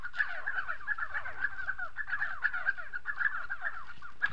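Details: A busy stream of gargling, down-curving notes from Spotted sandgrouse in South Morocco, repeated several times a second and layered on top of each other without pause.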